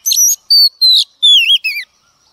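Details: Female Oriental magpie-robin, wild-caught, singing to stimulate male birds. Five clean, loud whistled phrases, some steady and some sweeping downward, follow each other at roughly half-second spacing in a quiet setting.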